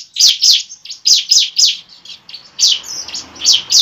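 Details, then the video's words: Fighting song of a bar-winged prinia, used to spur a kept bird to sing and fight: loud, harsh high chips delivered in quick pairs and triplets, with short pauses between bursts. "pancingan ciblek ampuh membuat ciblek bakalan langsung gacor"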